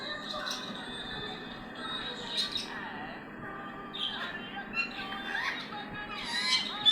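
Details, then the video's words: Angry ringneck (rose-ringed parakeet) gives harsh, grating screeches in uneven bursts, loudest near the end, over a steady tonal hum and faint background voices. "ringneck parrot गुस्से में चिल्ला रहा है"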